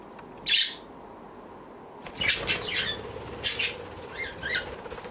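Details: Pet budgerigar, three years and five months old. It gives a single sharp chirp, then after a short pause a run of quick, scratchy chirps and chatter notes. There is a faint room hiss between the calls.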